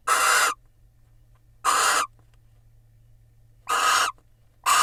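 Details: Barn owls preening one another in a nest box in Israel as the female incubates, March; repeated loud, hoarse hissing screeches, each about half a second, separated by irregular pauses of one to two seconds.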